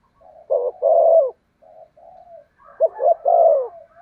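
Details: Spotted dove decoy cooing to attract wild birds. Two low phrases of clipped double notes and a sustained coo, separated by soft, quiet murmurs.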